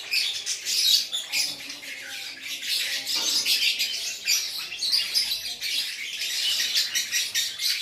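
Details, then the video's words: Aceh lovebird singing gacor: busy, raspy, high twittering and squeals delivered in a dense unbroken flow, with slight pulsing swells in loudness. "LOVEBIRD GACOR ACEH"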